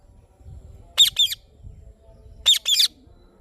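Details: Indian ringneck parrot chirping: two pairs of sharp, high, harsh squawky chirps about one and a half seconds apart, over a low background rumble.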